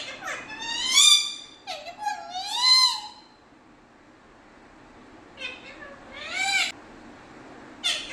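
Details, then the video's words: Pet parrot in Kerala, India, imitating Malayalam speech: two bursts of harsh, vowel-like syllables with sliding pitch, a quiet pause of about two seconds, then a few more rising syllables and a final short clipped note. "parrot Talking"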